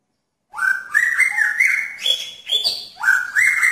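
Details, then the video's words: Attracting a female in a pairing cage, a male magpie-robin sings an unbroken run of loud whistled slurs that climb in steps, with a few higher piping notes. "Murai Jantan Menarik Perhatian Murai Betina dalam Kandang Jodohan"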